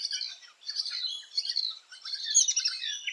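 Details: Continuous shrill, scratchy chatter from rainbow lorikeets nesting in tree holes in Australia, high and buzzy, rising into louder squeals toward the end.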